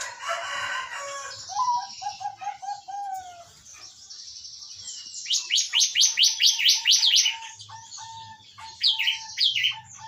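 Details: Zebra dove song meant to coax a quiet caged dove into singing: a run of soft, evenly spaced coos, followed later by scattered single coos. Loud, shrill trills and chirps of other birds overlap much of the recording.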